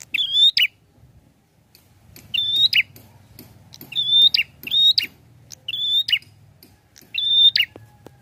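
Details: Prinia (prenjak) singing vigorously: about six high phrases, each a sharp buzzy click followed by a level, drawn-out whistle, spaced roughly every one to two seconds over a low hum.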